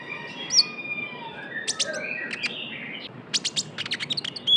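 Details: Young Javan white-eye in a lure recording: scattered high chirps and faint level whistles, then a fast closing run of sharp, piercing tweets.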